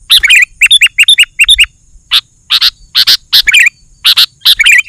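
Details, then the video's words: Sooty-headed bulbul singing lively, used to provoke other bulbuls into singing and to lure wild birds: a run of quick bubbly whistled phrases, then sharp paired chirps and more warbled notes. "Suara Burung KUTILANG GACOR, 100% Ampuh Bikin Burung Kutilang Lain Emosi dan Ikut Gacor"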